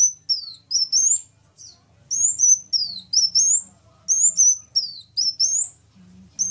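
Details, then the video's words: Sunbird singing in a lively contest of two kinds of sunbird: repeated phrases of high, thin whistles, each pairing a rising sweep with a falling slur, given in quick groups with short gaps. "KOLIBRI NINJA VS KOLIBRI WULUNG SUPER GACOR"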